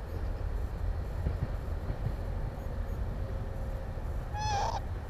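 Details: . Northern lapwing during breeding on Timiryazev field, filmed near nests: one clear nasal call near the end, sliding upward and then bending down, rich in harmonics, over a steady low rumble of wind or distant traffic.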